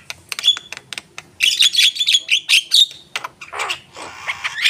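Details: Javan myna in full song: a rapid string of clicking chips and sharp whistled notes building into a dense chattering run, then rough, breathy squawks.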